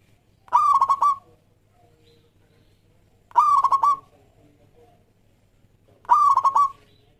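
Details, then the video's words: Local Zebra Dove singing as a lure for other doves: three loud, throaty cooing phrases, each about half a second with a quick pulsing stutter, repeated roughly every 2.8 seconds in a quiet setting. "Perkutut Lokal Gacor Suara Yang Pas Buat Pancingan"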